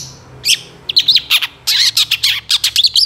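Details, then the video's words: Cendet, the long-tailed shrike, in lively fill-in-rich song with rapid bursts for training songbirds: varied loud chattering and slurred notes delivered in quick clusters. "SUARA CENDET GACOR DOR FULL ISIAN TEMBAKAN"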